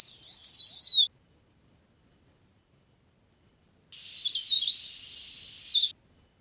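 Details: Leaf warbler lure song: a one-second fragment of high twittering, a long pause, then a two-second phrase of dense, scratchy high chirps.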